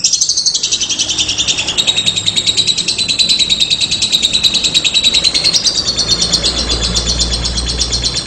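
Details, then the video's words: Extended 'ngekek' trill of a lovebird, a fast high-pitched rattle held for eight seconds with a slight rise in pitch past the halfway point and low rumble underneath. "PESONA LOBET SEDANG NGEKEK PANJANG"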